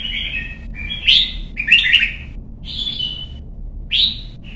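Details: A young red-whiskered bulbul in song training sings bright, bubbly whistled phrases, about five short bursts in under five seconds, against a low background hum.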